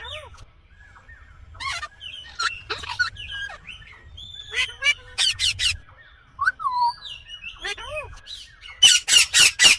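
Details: Indian green ringneck parakeet chattering with scattered whistles and bent notes, then bursts of loud screeching, ending in four rapid piercing squawks.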